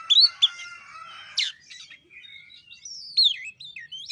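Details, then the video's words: Shama lure song to prompt a reluctant bird: a few loud sweeping whistles and sharp notes, then quieter thin rising and falling whistled phrases. "Pancingan kacer males bunyi"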